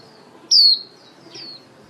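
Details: Female white-eye lure bird calling the flock for trapping; one loud high descending whistled note followed by a softer similar note about three quarters of a second later.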